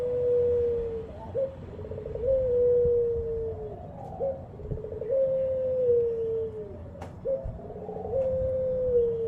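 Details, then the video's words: Frequently calling ringed turtle dove producing a regular series of long, smooth coos, each opened by a quick upward note and held for around two seconds, roughly every three seconds, with a faint click and steady background hum. "suara burung puter gacor"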